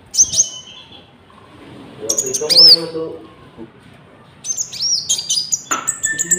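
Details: Common Iora song mixed with cricket-style fill-ins, a lure for trapping and for training caged birds; sharp high whistled slurs, a quieter middle passage, then a run of chirps and whistles.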